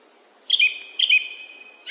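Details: Song thrush giving a brief sharp whistled note twice, half a second apart, each trailing into a thin sustained tone.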